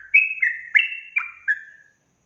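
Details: Trucukan, the yellow-vented bulbul, in full ropel song meant to rile other bulbuls: a bright phrase of five quick whistled notes, each sliding downward, ending in a fading trailing note.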